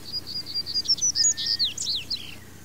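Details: Female double-collared seedeater, a quick string of high chirps and thin whistled notes, slurring up and down and turning buzzy toward the end, with a low steady hum beneath.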